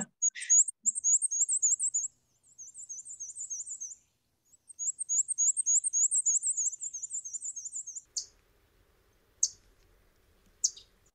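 Black-and-white Warbler song: very high, thin two-note phrases repeated rapidly in long runs, like a squeaky wheel, followed by a few faint knocks.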